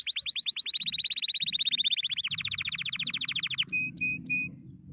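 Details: Canary singing happily in long rapid trills, each rolling run dropping slightly in pitch as it goes, ending with a few short clipped whistled notes over a faint low hum.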